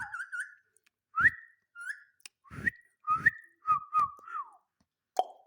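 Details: Indian ringneck parakeet talking, uttering short whistled and warbled phrases that rise and fall, separated by brief silences, with a few rough, voice-like bursts between them; indoors, with no other clear sounds.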